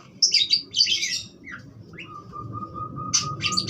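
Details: Budgerigar giving a burst of buzzy high chirps, then a short rising note and a long steady whistle-like tone, ending with more chirps, over low hum.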